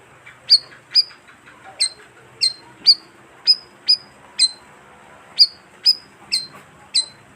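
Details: Bayeman lure call used to draw in wild birds; crisp, high, short tweets spaced irregularly about half a second apart, over quiet background.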